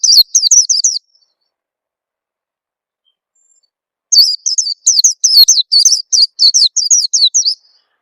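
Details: Oriental white-eye lure call, played to young newly caught birds to trigger singing: a short burst of four high falling chirps, three seconds of quiet, then about twelve rapid chirps.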